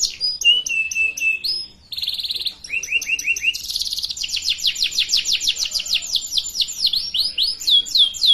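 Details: Varied canary song meant for young birds learning to sing, mixing swooping notes, a held whistle, a brief buzzy burst, curved rising notes and a long run of rapid falling chips.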